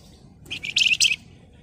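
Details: Flamboyan bird giving a short run of rapid, buzzy, high chattering notes in two quick pulses over low background noise.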